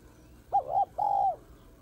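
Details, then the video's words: A female spotted dove gives her male-stimulating call, a short wavering coo followed by a drawn-out level hoot that slides down at its close, clear against a quiet background. "Cu gáy mái kích trống"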